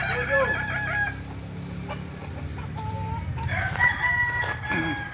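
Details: Crowing contest for kukuak balenggek chickens in Kota Solok, May 2024: moderate overlapping crows with clear stepped notes, a quieter gap with a few isolated tones, then a renewed bright crow near 3.5 seconds, over a humming background.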